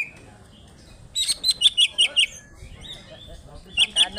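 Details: Greater green leafbird, Alas Purwo, Banyuwangi, Indonesia, in "ngentrok njambul" singing. After a near-silent start comes a quick row of five or six sharp high chipping notes, then a pause and two more chips.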